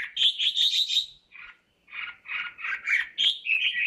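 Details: A single red-whiskered bulbul, described as a talented bird, sings bright warbled phrases of chirpy notes, a rapid run, a short pause, then more bubbling, slurred motifs.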